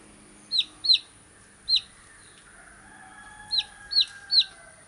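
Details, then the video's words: Baby chick calling with single loud, high peeps that drop sharply in pitch, spaced irregularly with two short pairs and a lone note, quiet hiss behind. "Cute Baby Chicks Chirping Sound"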